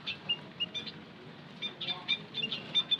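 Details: Lure call of white-headed munia, known locally as bondol haji: brief piping chirps spaced irregularly, a quieter gap midway, then a denser run of high notes.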